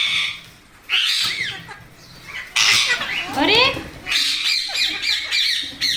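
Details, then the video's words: Several Indian parrots crowd in for rice and milk, giving harsh screeching calls in overlapping bursts after a quieter start. Human speech can be heard at times. "Parrot Natural Sounds Compilation | Parrot Sounds |Baby Parrot Sound"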